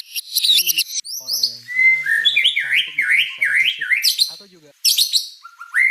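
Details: White-rumped shama, described as an exceptionally prolific singer, pouring out rapid whistled and warbled phrases with sliding, rising notes, while a man talks in Indonesian underneath the song.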